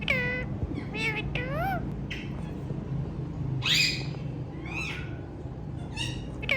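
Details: A hand-tame ringneck parrot giving nasal, squawky calls that arch up and down, about eight in under seven seconds, over a steady low hum.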